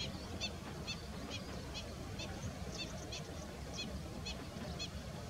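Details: Slender-billed gull calls: short, high, nasal notes with stacked harmonics, repeated roughly twice a second over a steady low rumble of background noise.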